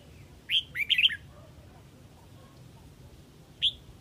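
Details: Huế Red-whiskered bulbul calling the flock: a short, quick warbled phrase of three or four bright, slurred notes, a long pause, then one lone sharp chirp, over low background hum.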